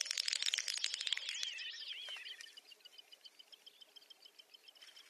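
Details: Great Snipe lek display, Ryazan oblast, Russia, April 2019: a rapid burst of dry clicks running into high, bubbling, descending twitters, then soft ticking repeated several times a second.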